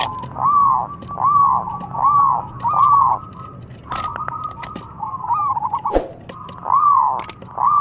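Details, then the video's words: Zebra dove singing a song meant to make rival doves call back, with rapid rolling coo phrases repeated about once a second, a brief pause in the middle with a few clicks and knocks, then the cooing resumes. "Lawan Perkutut Manapun Langsung Nyaut Setiap Dengar Bunyinya"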